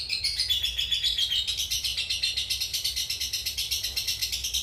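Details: A cobalt mangsi lovebird's long ngekek, suited as a training model for other birds: rapid, regular rattling pulses in a high buzzy band, dipping slightly early on and then rising gently.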